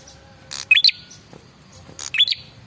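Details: Male red-headed prinia lure call: a rasping burst leading into a quick upward-stepping whistle, given twice, with faint background hum.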